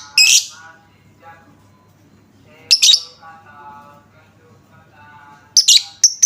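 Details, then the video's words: Lovebird lure recording, meant to make any lovebird answer at once: three shrill, harsh buzzy bursts about every three seconds, separated by quiet stretches with faint low tonal murmurs in the background. "Apapun jenis Lovebird mu, pasti langsung nyaut seketika dengar suara pancingan ini"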